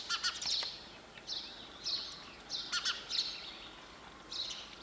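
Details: Sparrow calling with short, bright chirps, some doubled, spaced about every second against a quiet background hiss.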